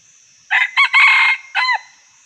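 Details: One four-part crow from a wild Red junglefowl, heard where these birds are trapped. Two short notes come before a drawn-out harsh phrase, and a brief descending note ends it. A constant high-pitched hum sits behind the call.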